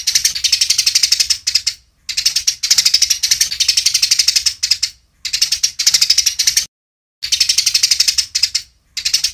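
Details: Training recording of a fighting Eurasian tree sparrow with clear pauses: continuous rapid high-pitched chirping in bursts of one to two seconds, separated by abrupt silent gaps, the longest near seven seconds in.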